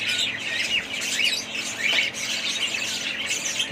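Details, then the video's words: Pet budgies in a family group squawk and chirp in a rapid, overlapping jumble of high, scratchy notes, uneven in rhythm. "family budgies parrots"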